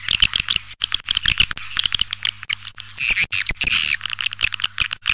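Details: Swiftlet lure call meant to attract swiftlets: dense bursts of high, scratchy chirps and clicks, rapid and uneven, with louder buzzy twittering near the end, over a steady low electrical hum.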